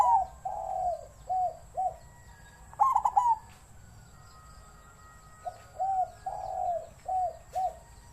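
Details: Wild-style song from a captive-bred zebra dove: soft, low, separate coo notes, a brief fast trill, then another run of mellow coos, all steady and unhurried.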